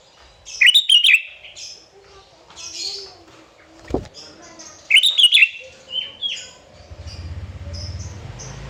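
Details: A sooty-headed bulbul in full song to stir rivals into singing. Two loud bubbly warbling bursts come about four seconds apart, with a single thump between them and a low hum in the final seconds.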